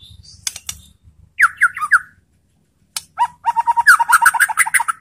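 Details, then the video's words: White-rumped shama, a caged bird kept in Indonesia, singing to provoke other shamas to answer: sharp broadband clicks, then a run of slurred whistled notes near the middle and a fast rich chattering phrase at the end. "spontan EMOSI!! MURAI BATU apapun akan jadi GALAK NYAUT ¦ PANCINGAN MURAI"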